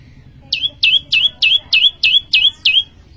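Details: Prinia (prenjak lumut) in full song: eight loud, sharp notes that drop quickly then level off, delivered evenly at about three per second over faint low background hum.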